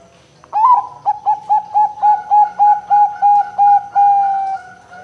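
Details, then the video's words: Lure song of a female zebra dove of the Bangkok type, noted for a loud voice and meant to prompt other doves to sing: one upward-swept coo, then a steady run of short, equal coo notes, closing with a longer held tone. "PERKUTUT BETINA PANCINGAN, BERANI DENGER SUARA PERKUTUT BANGKOK GACOR INI, PERKUTUT SUARA BESAR"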